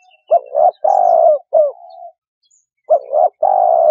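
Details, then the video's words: Spotted dove cooing in rounded low phrases: two quick notes, a long steady coo, a short note trailing into a soft hum, then the pattern starts again. "Tiếng Chim Cu Gáy"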